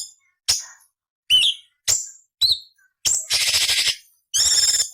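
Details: Cucak cungkok song used for tutoring murai, cucak ijo and kacer: four sharp, spaced whistled notes, then two long harsh buzzy rasping bursts separated by a short pause.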